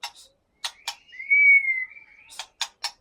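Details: White-rumped shama of Aceh origin kept caged: one long, smooth level whistle lasting about a second, framed by sharp broad clicks before and after.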